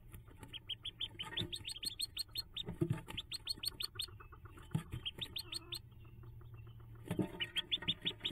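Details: Hooded Merganser ducklings on their nest-box jump day, 5 May 2024, give rapid, high, thin peeps in quick overlapping series, with soft low thumps and rustling underneath.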